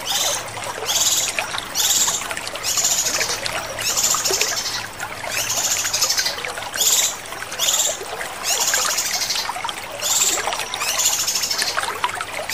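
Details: Male cucak kinoi chattering song in short, high, hissing bursts repeated about every second, set against a steady trickling of water.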